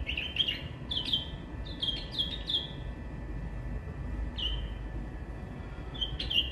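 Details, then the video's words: Singing white-eared bulbul delivers a run of quick, clear whistled phrases, several close together, then a pause and a few more, each note sliding slightly downward, with faint low rumble behind. "white eared bulbul bird singing"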